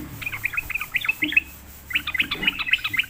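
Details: Sooty-headed bulbul, a reluctant singer lured into answering, gives quick bubbly chirped phrases, clustered twittering notes repeating rapidly in two bursts separated by a short pause.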